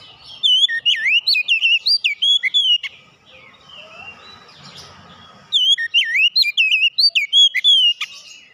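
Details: Two long phrases of loud, melodious whistling from a kacer, each note sliding and looping in pitch, separated by a quiet stretch of soft background noise.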